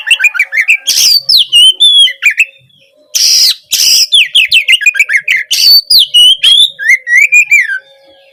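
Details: Oriental magpie-robin giving loud gacor song intended to provoke a reluctant bird into answering; fast twittering and slurred whistles interrupted by repeated harsh rasping blasts, ending with softer whistled phrases and a faint steady tone.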